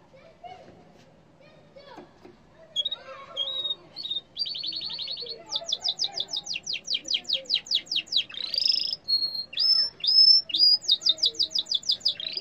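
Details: Yellow canary singing: a few soft whistled notes, then a fast buzzy trill, a long series of rapid falling sweeps, clear high whistles and another quick descending run, growing louder toward the end.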